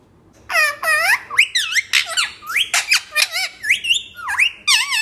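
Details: Talking parrot, indoors, producing a rapid run of high, harmonic squawks and whistled, sliding speech-like syllables, bursts roughly every quarter second with sharp clicks between.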